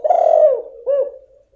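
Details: Female spotted dove call to rouse a male that has stopped singing; one long, falling coo followed by a shorter, rounded coo, then fading.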